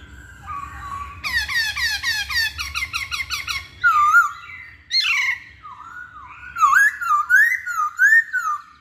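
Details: Hwamei singing, a varied song of rapid repeated rising whistled notes, then sweeping slurred phrases and fluty warbling, rich and loud with quiet background.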